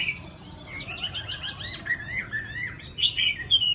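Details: A tame hwamei with a gentle, pleasing voice gives a flowing warble. Wavering whistled phrases rise and fall, swelling into louder, higher notes toward the end.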